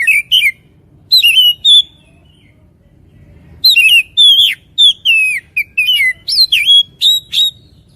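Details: Oriental magpie-robin delivering bright whistled notes in short groups, a pause of about two seconds, then a lively run of varied slurred and steady whistles.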